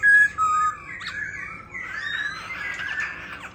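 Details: Cage-kept White-cheeked laughingthrush, singing and dancing: two loud short whistles, then a quieter, continuous warbling twitter of whistled notes.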